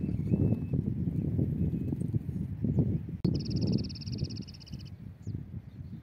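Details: Migratory European goldfinch at a trapping site, a single even buzzy trill lasting about one and a half seconds, with a faint note before it and a strong low roar of wind throughout.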